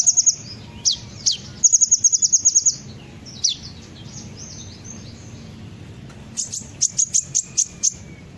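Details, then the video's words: Sunbird lure song: irregular high chips and downslurred notes, a short quick trill, scattered twitters, then a closing run of sharp high ticking notes. "pancingan suara burung kolibri ninja pasti langsung ikut bunyi"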